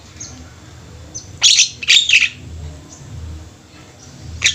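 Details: Javan mynas held together in a group, singing: a few loud, harsh, scratchy bursts separated by quiet stretches, with faint softer chirps in the background.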